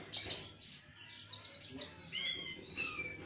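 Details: White-rumped shama, kept during lockdown and described as singing in full voice: a rapid run of high, sharp repeated notes, then clear whistled phrases, with low hum beneath.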